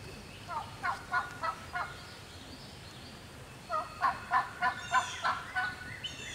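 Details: Wild turkey hen calling alone in Georgia woods, answering a human turkey caller; two short bursts of raspy yelps, four notes then a pause, then about seven more, with faint bird chirps in the background.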